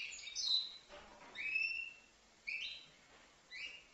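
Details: Five-month-old European goldfinch from Livno giving sparse, separate chirps and upward-sliding whistled notes spaced about a second apart, with quiet gaps between them.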